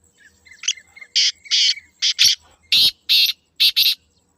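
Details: Black francolin giving two loud, harsh, grating phrases of rasping notes, an opening single note, then spaced notes ending in a quick pair, against a quiet background.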